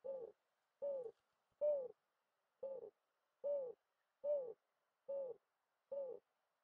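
A mourning dove gives eight short, soft, low coos, each a brief arched note, one about every 0.8 seconds, in an otherwise quiet setting.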